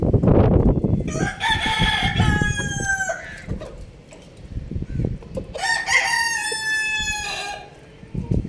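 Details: Rooster on a roof beside a hen, searching about, gives two long crows. Each is a loud, harsh, stepped cock-a-doodle-doo of about two seconds with a falling tail, separated by a few seconds of rustling and scuffing.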